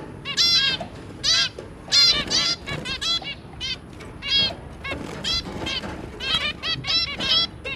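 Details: Zebra finch pair with three babies, recorded 23 January 2022: loud, dense bursts of nasal, toy-trumpet beeps from several birds overlapping, nearly continuous, above a faint low hum.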